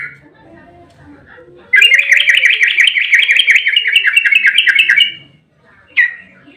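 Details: Yellow-vented bulbul in rapid 'ropel' fighting song, used to provoke others into singing. A quiet start, then a dense, quick trill of zigzagging whistled notes lasting about three seconds, then one more short phrase.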